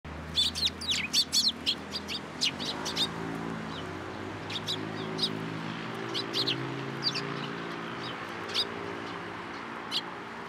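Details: Several sparrows coming onto a hand for food at a Tenmangu shrine on 14 April 2023: short, sharp high chirps in quick bursts through the first half, sparser later, over a steady low droning hum.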